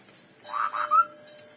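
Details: Chinese hwamei singing in a fighting song contest: a short phrase of two rich warbled notes followed by a clear level whistle, over a steady high hum.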